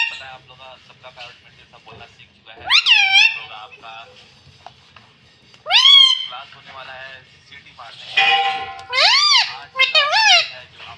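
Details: Pet rose-ringed parakeet that talks, saying "mummy": a few loud arching syllables spaced several seconds apart over a faint murmur of background voices.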